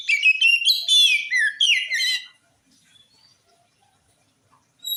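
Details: Oriental magpie-robin singing to provoke replies from other magpie-robins; a burst of rapid, varied whistles and scratchy chattering notes lasting about two seconds, then near silence.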